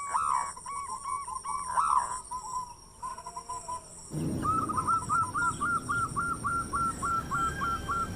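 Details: Local zebra dove with a big voice, singing actively as a lure to stimulate other doves, gives rapid hooked cooing notes; a scattered few early, then a steady run of about a dozen after a burst of broadband noise.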